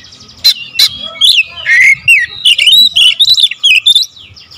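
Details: Magpie-robin (kacer) lure song in tight bursts: a fast string of bright whistles, slurred notes and chips, changing pitch from note to note, with a low background hum.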